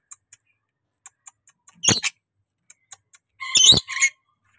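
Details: Pet rainbow lorikeet, tame and talkative, gives a short harsh screech and then a longer, more tonal, ringing squawk, with faint clicks before them.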